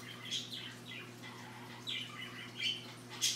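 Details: Macaw playing after lunch, giving soft raspy squawks and short falling chirps in quick irregular bursts, ending in a louder harsh note, over a steady low electrical hum indoors.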